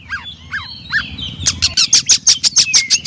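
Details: Oriental magpie-robin, locally kacer, giving three falling whistled notes then a fast run of harsh repeated chips, about eight per second, ending with a soft downslurred whistle.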